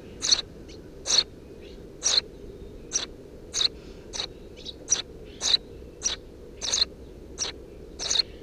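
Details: Eurasian tree sparrow nestlings, three of them, calling from a nest beneath a house roof on 2 June 2017: sharp high chirps repeated roughly every 0.6 to 0.9 seconds, about thirteen in all, with faint extra chirps between.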